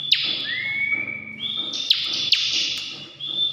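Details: Ciblek, the bar-winged prinia, singing 'ngebren': long upward-sliding whistles lead into a steady high buzzing band, punctuated by a few sharp clicks.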